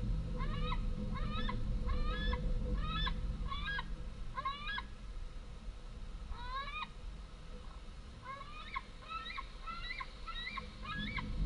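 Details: Two large fledged White-tailed eagle young back at the nest on 11 August 2014, screaming for food as the females land with small prey. Shrill, rising, squealing screams come in quick runs of two to four, over a low rumble.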